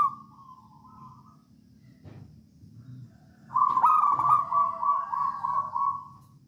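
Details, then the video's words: Zebra dove, wild local stock from Java, singing in 'songgo ratu' style to lure others into song; a quiet rolled coo, a pause, then a rough onset leading into a long pulsed trilling coo, with low rumble throughout. "Perkutut lokal alam gacor songgo ratu"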